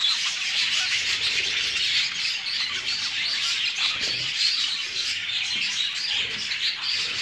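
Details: Show jumbo budgerigars in a breeding setup; a continuous dense chorus of high chirping and warbling chatter from many birds, with no pauses.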